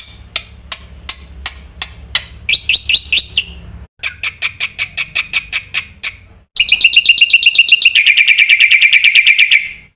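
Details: Black-winged myna, a loud singer with many fill-in phrases. It starts with scattered sharp clicks, then gives rising bursts of ringing notes and finishes with a long, dense, buzzy trill that slowly drops in pitch.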